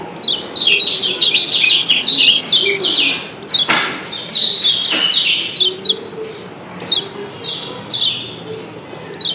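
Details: Kecial kuning, the yellow white-eye of Lombok, calling back and forth in 'doble ciak' style: quick strings of high, sharp, falling chirps in bursts, broken by two loud knocks.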